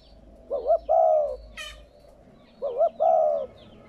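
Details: Two cooing phrases from a spotted dove, used to get newly kept doves cooing. Each has a wavy double note and then a long, soft coo, with a brief sharp high sound between them.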